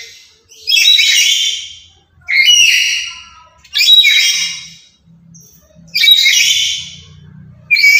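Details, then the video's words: Loud, chattering lory, said to be active every day and used as a decoy and master bird for other lories: four strident, harsh screeches at roughly two-second intervals, with a faint low hum behind. "Inilah Burung Nuri Yang Paling Cerewet Dan Lantang"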